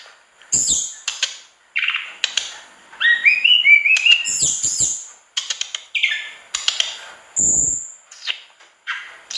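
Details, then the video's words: Mangrove blue flycatcher in full song with filled-in phrases: a rapid run of chirps, a rising whistled trill, high thin notes and short bursts, mixed with clicking and rustling noises. "Tledekan bakau gacor dor isian"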